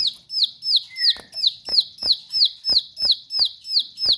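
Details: Lively Bar-winged prinia singing in the sharp 'nembak' manner: a very regular string of bright, high falling notes, roughly three per second, with clicking taps and one low drawn-out note early on.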